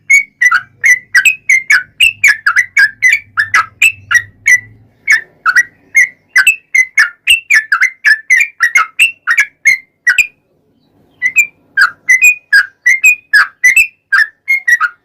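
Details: Yellow-vented bulbul lure song meant to provoke singing: long, nearly continuous chains of lively whistled notes, dipping and rising, broken by one short pause, with a faint low hum early on.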